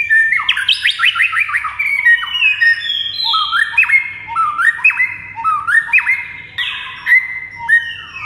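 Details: White-rumped shama (murai) master song: a fast ladder of descending swept notes, then a rhythmic series of upslurred whistles ending in clicks, repeated roughly once a second, loud and clear.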